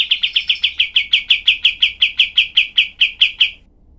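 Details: Cream-vented bulbul delivering its dense, sharp 'tembakan' burst as tutor material for other songbirds: about twenty high, clipped chip notes in fast, even rhythm over three and a half seconds, then quiet.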